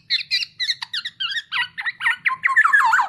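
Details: Black-naped oriole masteran audio with quick, stuttering high chirps at about four per second that grow denser and slide lower toward the end into a buzzy, slurred flourish.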